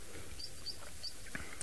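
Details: On a rainy late afternoon on 21 March 2024, three-banded plovers chase each other along a dam shoreline near their eggs, giving thin, high piping notes about three a second over a low background rumble.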